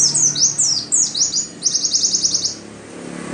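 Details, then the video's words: Oriental white-eye song used to stimulate caged birds: swift high downslurred notes tumbling together, then a rapid even series of about ten clipped chirps, fading into background hiss. "Pancingan supaya pleci cepat gacor"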